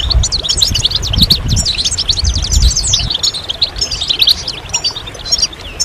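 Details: Goldfinch chorus with mating and readiness calls meant to stir males to sing: busy, tinkling twitters and short rising and falling chips pour out continuously, thinning a little toward the end, with low rumbling noise early on.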